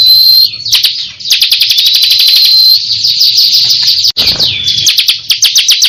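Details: Ciblek kristal, a caged contest champion singing actively: a thin whistled note, then a long fast run of sharp, high ticking trills with steady whistled tones threaded through, briefly interrupted by a knock.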